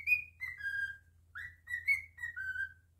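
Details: Captive cockatiel singing: two clean whistled phrases, each opening with a high note and sliding down through shorter notes to a sustained lower tone, quiet hum beneath.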